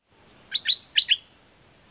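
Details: Bird song recorded for training captive birds: two pairs of quick, sharp chirps, each falling in pitch, over a faint steady high hiss.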